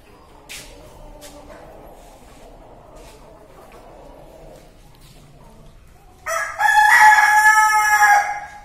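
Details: A male Kadaknath rooster gives one loud, hoarse crow lasting about two seconds after several quiet seconds with faint clicks and rustling.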